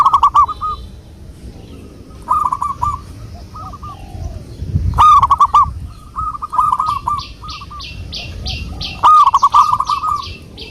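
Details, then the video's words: Wild local zebra dove singing as a lure, repeated bursts of soft cooing trills around the same pitch, phrases several notes long recurring every two to three seconds, with sharp clicks, low background rumble and a high chirping insect-like buzz late on. "pancingan burung perkutut Lokal alam"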